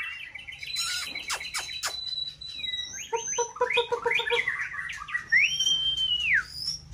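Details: White-rumped shama in peak breeding season, caged, singing to stir another bird in a multi-style contest: rapid clicking and chattering, a run of low repeated notes, then a long rising-falling whistled slur.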